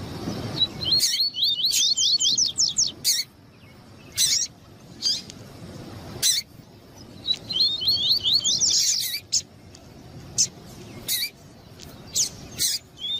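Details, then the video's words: Double-collared seedeater, male stimulated by a female's calls, kept by breeders for song tournaments: two long runs of rapid, upward-slurred whistled tui notes rising in pitch and intensity, separated by isolated sharp chips, with a faint low murmur early. "COLEIRO TUÍ-TUÍ E FÊMEA CHAMANDO PARA ESQUENTAR COLEIRO TUÍ-TUÍ"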